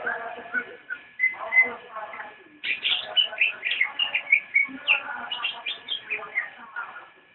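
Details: Javan white-eye singing nyinden: a few soft notes, then a long, busy string of quick high chirps and twitters running for several seconds, over a steady hum.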